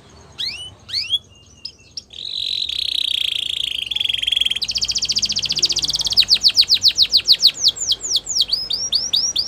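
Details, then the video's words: Female Belgian canary singing in the morning: a few sharp rising chirps, then a sustained buzzy roll, a fast rattling trill and a run of quick, clear downward-sweeping whistles repeated several times a second. "Canary Female Singing | Belgian Canary Singing In The Morning"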